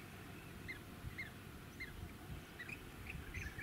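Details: Rainbow bee-eater at Bribie Island, Queensland, in November 2018, giving short, rolling chirps about every half second, quickening toward the end, over a steady low rumble of wind and suburban noise.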